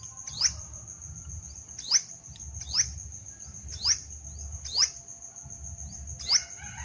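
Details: Sunbird from a weekly best-singing contest giving sharp, very high upswept chirps, six spaced roughly every second, over a steady thin high tone and low rumbling background.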